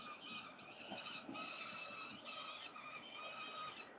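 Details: Young peregrine falcons at 367 Collins Street nest, out for a morning walk on 25 October 2022, give drawn-out, harsh, wailing calls almost without break, with short pauses, over a steady background hum.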